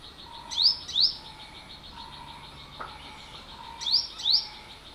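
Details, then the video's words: A yellow-bellied sunbird gives sharp, high upslurred chirps in quick pairs, with the two pairs about three seconds apart, over a steady shimmer of insects. "เสียงนกกินปลี Bird sound"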